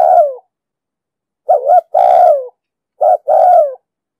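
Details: Spotted dove, deep 'đồng sấm' voice, recorded to lure and train wild birds for trapping. Phrases of a short two-note hoot followed by a sustained downward coo, about every one and a half seconds. Silent surroundings.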